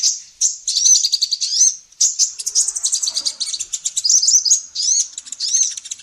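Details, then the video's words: Female sunbird (kolibri ninja) in full lively song for training songbirds: a dense, rapid twittering of high chirps and ticks, broken by a few longer arching squeaky notes. "SUARA BURUNG KOLIBRI NINJA BETINA GACOR"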